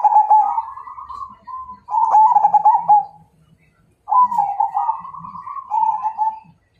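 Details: Song of a Majapahit zebra dove inviting a fight, with three linked phrases of stuttering, bubbling coos rising and falling slightly in pitch, each one to two seconds long, separated by a clear pause near the middle.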